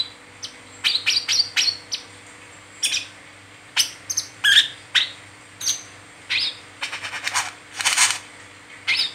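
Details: A captive brown-throated sunbird, chirping continuously, used as a lure to train other sunbirds, gives a run of sharp, high chips and short twittering bursts, spaced irregularly over several seconds, with a faint steady hum beneath.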